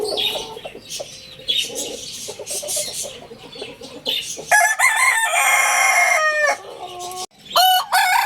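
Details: Lohmann Brown rooster gives a loud, sustained, strongly harmonic crow lasting nearly three seconds, ending in a sudden cutoff, after softer clucks and chatter and followed by a short sharp squawk.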